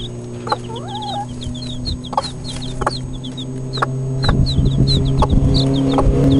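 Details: Four-day-old Cuckoo Marans chicks peeping: a stream of short, high, slightly falling peeps, several per second from more than one chick, over a steady low hum that grows louder with rustling toward the end.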